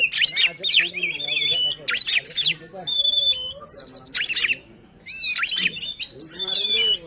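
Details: Oriental magpie-robin singing to make other magpie-robins agitated and persistent, also a lure for birds that stop singing: sharp rising whistles, sweeping slurred notes and chattery trills in separate phrases with short pauses.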